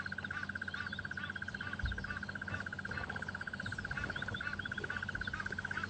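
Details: Pair of crested barbets calling and jumping around, agitated by a leopard a few meters from their nest, on a morning safari drive at Djuma and Arathusa, 3 January 2015. A continuous rapid, even trill of rattling notes runs throughout.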